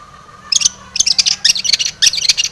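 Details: Long-tailed shrike song used as a lure to make other shrikes sing: scratchy, harsh chattering bursts in four quick groups roughly every half second, separated by brief pauses, with a faint steady hum beneath.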